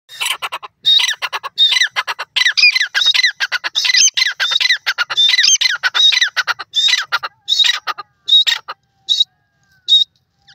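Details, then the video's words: Brown partridge calling in a long series of loud, harsh, squawking notes, repeated rapidly and somewhat unevenly, with the bursts thinning out toward the end into a few separate calls. "call of the brown partridge"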